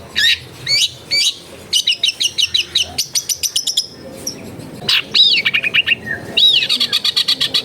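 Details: Long-tailed shrike (cendet) in a crowded residential home, pouring out a fast, rich song: rapid trilled chip series, buzzy rattles, and warbled whistled slurs, almost continuous throughout.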